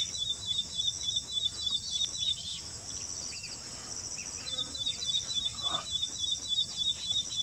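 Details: Ashy prinia singing in Assam, India, a song that differs from southern birds; high, rapid, evenly repeated thin notes run in a long series, pause briefly midway, then resume, over a constant high insect drone.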